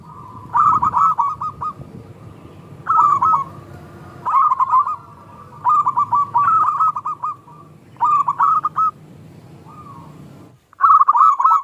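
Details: Zebra dove of local stock singing the small 'klung' style, played to lure and spur reluctant doves into answering: short bursts of rapid, soft, cooing notes repeated about every two seconds, six phrases in all, with faint low hum between.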